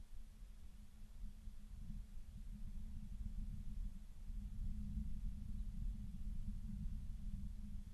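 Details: Only a low, steady rumble and faint hiss are heard, with no calls or other animal sounds.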